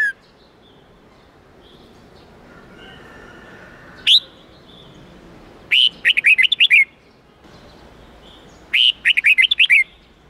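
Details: Red-whiskered bulbul singing the wild-standard 8-9-10 note song for young birds to learn; a lone short note, then two rapid bursts of clear, lilting whistles separated by a pause.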